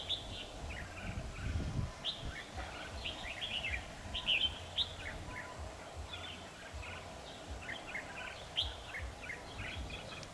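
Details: Red-whiskered bulbul decoy during a trapping session on 7 October 2019, giving a busy run of bright whistled notes and quick chirps throughout, with a low rumble of background noise.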